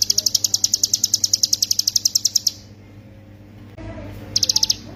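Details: Hill prinia in full song as a master recording for songbird training. A long run of evenly spaced, high piercing notes lasts about two and a half seconds, then silence, then a brief burst of the same notes.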